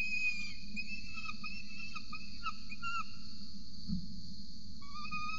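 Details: Peregrine falcon at a nest ledge camera in Orange, Australia, 8:07 am on 26 November 2020, while an adult feeds a chick. Short, high, chirping calls come in quick bursts over a steady electronic hum.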